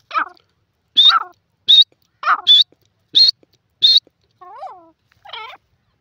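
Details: Francolin call, loud and close: rapid series of sharp, high, squeaky notes mixed with lower harsh rasping notes, about one note every second, ending in two softer falling calls.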